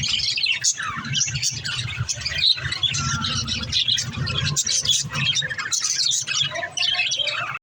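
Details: Mother budgerigar in her nest pot, pet birds chirping: dense, busy high chatter of squeaky chirps and warbles, nearly continuous, with a steady low hum underneath.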